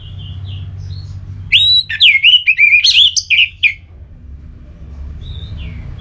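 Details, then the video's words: Orange-headed thrush giving ngeplong song to stimulate a rival into singing: a single two-second rush of bright rising whistles and buzzy trills, framed by faint soft notes and low background hum. "ANIS MERAH LOYO Bakal SONTAK NYAUT GACOR dan EMOSI dengar Kicauan Ngeplong ini"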